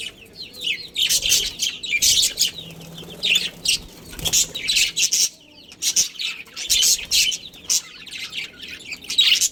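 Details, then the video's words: Budgerigar breeding pair in a colony chirping: bursts of high, scratchy, buzzy chatter in clusters about every second, with brief quieter gaps between the outbursts. "Cute Budgies Chirping Sounds"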